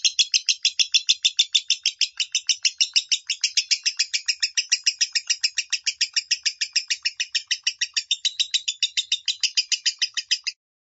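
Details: Lovebird minor-tone song used as a training tutor for a pet bird: a fast, steady run of bright, raspy chirps, about three per second, continuing unbroken for over ten seconds before stopping abruptly.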